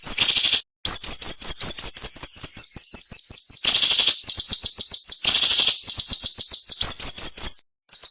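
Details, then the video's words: Flowerpecker called siri-siri by bird keepers, singing the sought-after sharp, close-packed tutor song: long fast runs of high thin upslurred notes, about 162 a minute, interrupted by three loud buzzy bursts. "MASTERAN SUARA BURUNG SIRI SIRI NEMBAK TAJAM"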